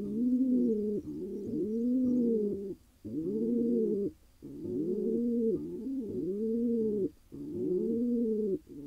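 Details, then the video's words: Wild Israeli pigeon, a male newly paired with a mate, gives repeated bubbling coos, each note rising and falling, grouped into bursts with short breaks between them. "He got his lady: Pigeon male happy after finally finding a mate."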